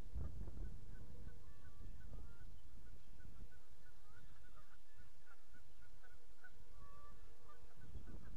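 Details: Several geese, active on a pond, recorded 31 March 2014, give repeated short nasal honks, many overlapping from different birds throughout, over steady low wind rumble.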